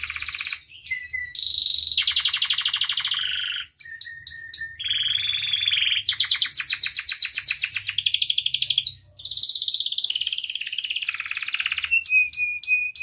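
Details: Canary in nonstop song with a broad repertoire, for tutoring and luring canaries: rolling trills, buzzy rolls, chip series and piercing whistles follow each other rapidly over thirteen seconds with almost no silence.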